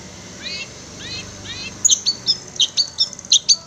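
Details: Long-tailed shrike training song for kept birds: three soft, rising-falling slurred notes, then a fast series of piercing high chips and squeaks.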